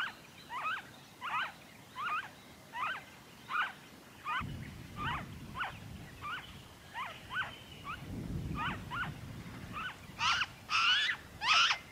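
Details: Steady chain of nasal, falling notes from a noisy friarbird in Victoria, Australia, February 2023, with low rumbling noise partway through and louder, fuller notes at the end.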